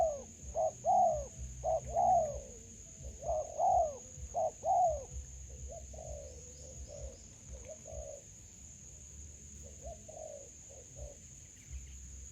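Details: Spotted dove in a melaleuca grove during trapping with a decoy bird: a series of low, soft, hollow coos in uneven groups, loud at first and fading later, over a steady high insect whine.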